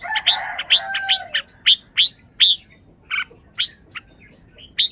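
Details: {'caption': 'Red-whiskered bulbul opening with a lower warbled phrase under sharp chirps, then spacing out single high, clipped notes with short gaps between them.'}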